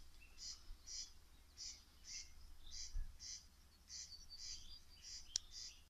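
Corn crake giving a dry, rasping crex-crex, repeated about twice a second, over a low background rumble.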